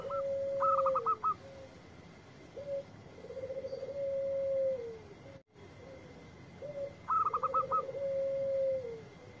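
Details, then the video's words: Local zebra dove (perkutut) singing actively in Indonesia: a long, low, wavering coo followed by a quick run of four to five higher clipped notes, repeated twice. Faint steady background hum. "Perkutut Lokal Gacor Suara Merdu"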